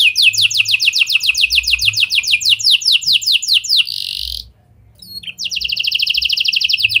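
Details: Canary singing with lovebird and prenjak phrases as a lure for other canaries: long rapid trill of falling notes ending in a harsh buzz, a short silence, then another fast trill.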